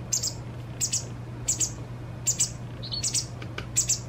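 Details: Fledgling white wagtail being fed by a parent, its last full feeding before independence: spaced, shrill chirps in small pairs roughly every half to one second, over a quiet steady hum.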